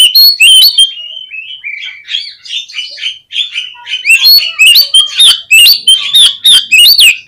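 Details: Oriental magpie-robin song used as a lure to make birds respond and spread their tails: clear whistled notes sliding up and down, then louder rapid, sharp, varied phrases with high overtones.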